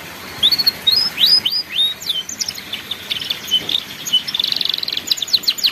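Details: Master-recording canary song in ngeriwik style for young learners: a few rising whistled slurs open the phrase, then flowing twitters lead into a rapid, even, high trill toward the end.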